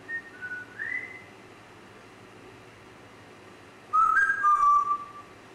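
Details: Grey parrot making soft, quick whistled notes that rise slightly, followed after a pause by a louder two-part whistle, first rising and then levelling.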